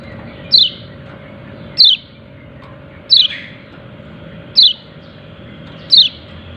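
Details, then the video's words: Yellow-breasted white-eye calling 'ciak ciak', with five separate sharp, high chirps, each dropping in pitch, spaced about every one and a half seconds over a faint steady hum. "Pleci dada kuning memanggil ciak ciak"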